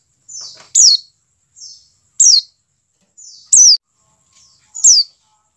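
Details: A white-eye call used as a lure to get white-eyes to open their beaks and sing: a soft buzzy note, then a sharp, loud downslurred chirp. The pair repeats four times about every one and a half seconds.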